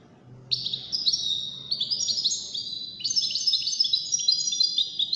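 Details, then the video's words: European goldfinch singing in the widaniya style, one of five compared in a competition; a continuous tinkling stream of high, overlapping whistled notes that grows busier and richer toward the end. "مسابقة افضل تغاريد 5 حساسين ويدانية"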